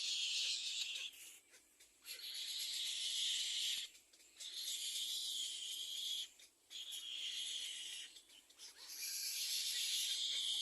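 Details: Baby little egret at the second nest crying for food for its parents: loud, rough, hiss-like begging in long runs of about two seconds, pausing briefly between each.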